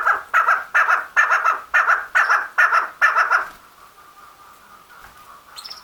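A female chukar partridge gives eight harsh, clucking notes in quick succession, about two per second, then falls quiet to a faint background hum.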